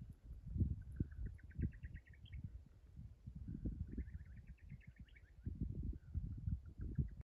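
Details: Buff-collared nightjar (Antrostomus ridgwayi) calling at dusk on 14 May 2021 in Coronado National Forest at the California Gulf and Warsaw confluence: a quick run of clipped notes that speeds up and rises into a higher flourish, heard twice, over a steady low rumble.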